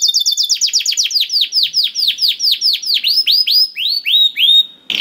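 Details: Canary singing, offered as a prompt for a hard-to-start canary: a fast high trill gives way to a long series of slower, evenly spaced downswept whistled notes, about one per third of a second.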